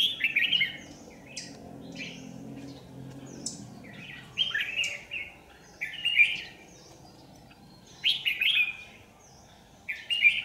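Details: Caged lure red-whiskered bulbul at a trap near power lines, 27 January 2019, repeating short liquid warbled phrases of three to four notes, each burst roughly two seconds apart, with quiet pauses between.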